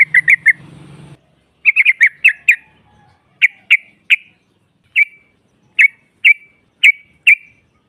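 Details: Female sooty-headed bulbul (trucukan) calling to provoke rivals: a low hum at the start, then sharp, clipped chirps, first in quick clusters and later single notes spaced roughly half a second apart.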